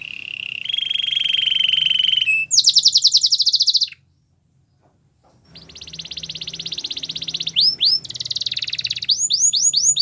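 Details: Belgian canary training song: a low steady roll, a bright pulsed trill, a pause of silence, then more rolling trills broken by looping whistled sweeps.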